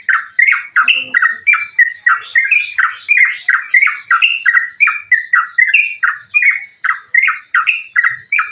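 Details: Sooty-headed bulbul in continuous fighting-style song used as a lure to get other bulbuls singing: sharp, bubbly chattering notes repeated in a steady rapid rhythm of about three per second throughout.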